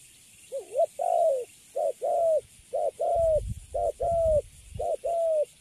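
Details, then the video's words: Spotted dove, newly caught and caged, standing still, with cooing described as good; low two-part coos, a short note then a longer gently falling one, repeated about once a second, some low thumps midway. "Thổ tơ Cấn Sấm, Bắt về cho vô lòng là đứng im ru. Nước Gù khá là Tốt."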